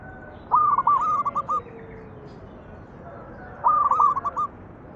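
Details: Zebra dove lure song for making other doves sing: two long phrases, each a rapid stutter of six or seven hooked coo notes that slow toward the end, about three seconds apart.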